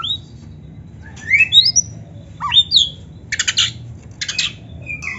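An Oriental magpie-robin sings loud, rising whistled sweeps, then rapid harsh buzzy bursts and a short thin whistle to close. No other sounds are noticeable.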